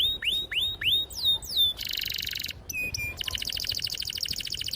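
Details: Canary song played to coax young birds into singing: looping downslurred whistles give way to a dense buzzy trill and then a fast rattling roll, all high-pitched and loud.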